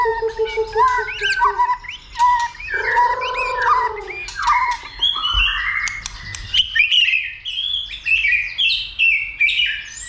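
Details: White-rumped shama stirred up to sing and fight, flicking its tail: a rich, varied song of low whistled notes that rise into fast, tumbling high phrases, with loud bursts separated by short pauses.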